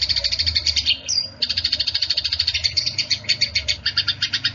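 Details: Quarrelling Eurasian tree sparrows make a fast, ringing chatter of metallic chirps, more than three per second. A brief gap with a sliding squeak comes about one second in, and a soft low rumble runs throughout.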